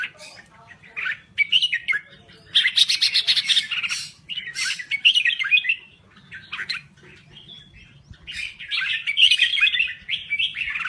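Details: Crested bulbul from Thailand singing in loud, chattering bursts of warbled and harsh notes, separated by short quiet gaps, over faint low background noise.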